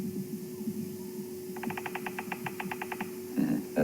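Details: A bearded woodpecker drums its territorial tap on a hollow branch, advertising its territory to others around, at night on a drive: a fast, even roll of about thirteen hollow knocks lasting a second and a half, over a steady low engine hum.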